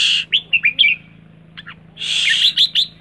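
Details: Red-whiskered bulbul calling rik: a rough rasping burst, then three quick upslurred chirps, two faint short notes, and a longer harsh burst broken by sharp chirps, with a constant low hum underneath.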